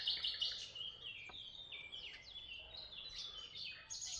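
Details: Chirping birds recorded in Tuzla, a rapid irregular stream of high, thin chirps and quick downward-sliding notes, roughly three per second, overlapping as if from several birds, over a soft background hiss.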